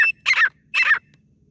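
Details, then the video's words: Female grey francolin calling, a sound used to lure birds for hunting: two harsh, grating notes, each opening with a brief clear whistle, about half a second apart, on a quiet background. "deshi teetar awaaz | female teetar awaaj"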